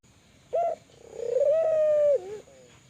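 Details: Kelantan spotted dove calling eagerly to set off other doves: a brief opening coo, a short gap, then a long burring coo that levels out and dips sharply at the close, with a faint trailing note.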